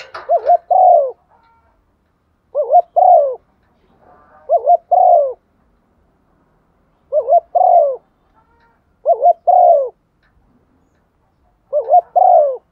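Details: Spotted dove hen calling with thúc gù coos to attract other doves: double-noted hooting phrases, a rapid wavering start then a long falling note, repeated every two seconds or so in a quiet setting.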